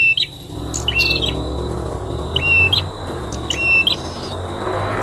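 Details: Prinia at a nest; brief high whistles ending in clicks, repeated about every second or so, over low rumbling background noise.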